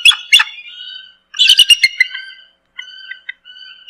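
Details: Bald eagle calling: bursts of high, thin chittering notes with harmonics, then steady piping whistles and short stuttered notes separated by brief silences.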